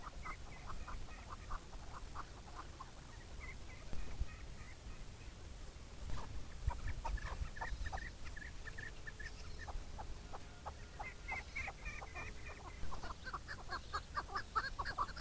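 A chukar gives bursts of rapid, clucking chuck notes, a few seconds apart, against steady low wind rumble.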